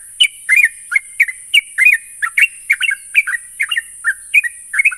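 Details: Lure recording of sooty-headed bulbul to prompt singing: quick, cheerful chirped and slurred notes in a continuous rhythmic chatter, accompanied throughout by a steady shrill high hiss.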